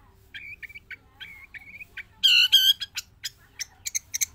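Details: A Javan long-tailed shrike, kept singing nonstop both inside and released from its cage, gives a restless run of short mid-pitched chirps, two loud harsh strident notes, then quick sharp ticks.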